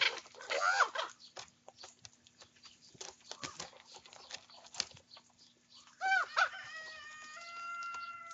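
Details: Young common ravens squabbling over their breakfast: a loud, hoarse, rising squawk, scattered clicks and rustling from feeding, then two more harsh cries followed by a drawn-out, nasal, wavering tone.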